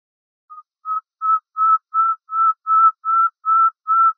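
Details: Common nightingale on a bulbul tutor tape, delivering a slow series of about nine pure, level whistles, each louder and longer than the last, evenly paced in a clean recording.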